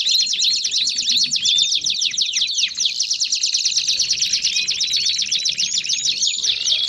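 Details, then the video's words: Canary baderna chorus used to encourage other canaries to sing: many overlapping voices give rapid chirps, rising whistles and rolling high trills in a steady, unbroken stream. "Canário Baderna de Para Esquentar Seus Canários"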